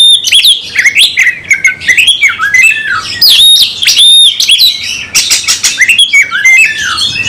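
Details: Oriental magpie-robin giving an emotional, aggressive fighting song: loud, continuous cascade of whistled sweeps, scratchy squawks and high chirps.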